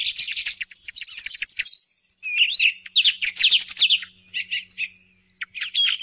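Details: Thrush song played to lure thrushes in the morning hunt: rapid high twittering phrases, a brief gap, then clear whistled slurs and chattering notes, another pause, and a final burst.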